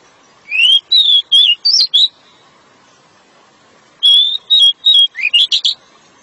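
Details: Two bursts of packed 'nembak rapat' song from a decu, or pied bushchat: short upslurred and downslurred whistles strung rapidly, the second phrase ending in clustered high chips, separated by quiet with faint background hum.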